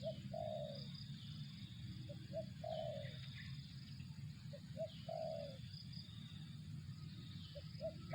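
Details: Repeated coo phrases of a spotted dove, about three in eight seconds: a couple of clipped low hoots, then a longer vibrating coo, with steady low-frequency noise and a faint high drone behind.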